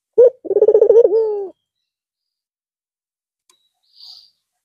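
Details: A white Barbary dove with red eyes resumes cooing after a long holiday rest at Eid al-Fitr. One clipped opening note and a quick pulsing roll ending in a long, lowering coo, then near silence with a faint hiss.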